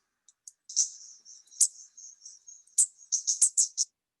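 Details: Oriente warbler (Teretistris fornsi) song recorded in Cuba, a Cuban endemic: a quick, very high run of sharp chips and thin buzzy notes ending in a dense burst of chatter.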